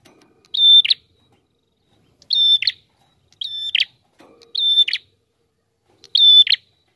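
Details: Prinia in repeated song for use as a lure: five phrases, each a level, shrill whistle ending in a rasping buzz, at irregular intervals of one to one and a half seconds, with a faint low sound once.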